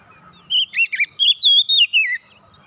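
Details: Short phrase of oriental magpie-robin song for restarting silent birds: about seven bright whistled notes, some rising and some falling, ending in a downward slurred whistle.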